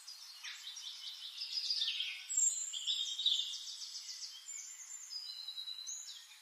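A pink-headed warbler sings a high, rapid jumble of thin chips, trills and whistled slurs, running on for several seconds with soft background hiss.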